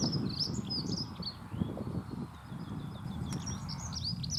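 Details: Dunnock giving scratchy, high-pitched warbled phrases on and off throughout, with a steady low rumble and occasional thumps beneath.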